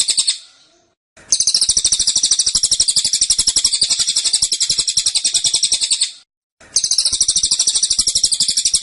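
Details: High, tightly packed trilling from a cililin in dense, insistent burst song, three runs with brief gaps, the longest nearly five seconds.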